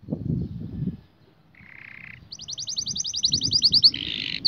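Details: Domestic canary singing: after a second of low rumbling, a buzzy mid-pitched note leads into a fast, high, evenly repeated trill of about twenty notes, then a harsher lower roll, all over steady low background noise.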